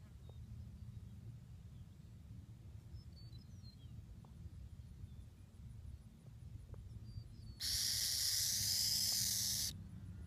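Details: An almost-fledged young burrowing owl, displaced from its burrow by flooding at a ranch near Ona, Florida, gives one harsh, rasping two-second 'rattlesnake call' hiss to warn away unwanted visitors, over a low, steady background rumble.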